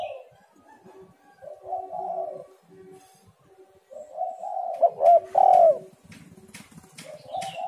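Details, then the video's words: Spotted dove cooing on a lure recording meant to make doves call. Soft, low hums build to a loud falling coo at mid-clip. Sharp clicks and rustling noises come near the end. "tekukur super gacor"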